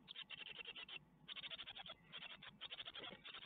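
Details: Great tit nestlings at an Ostwald nest, 12 May 2021, receive a spider on webcam; fast strings of scratchy, pulsed chicks' calls come in three bursts, each lasting under a second.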